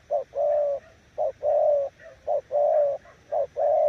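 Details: Spotted dove coos in quick succession, each a short note leading into a long, even, mellow tone. They repeat about every second with little pause between them.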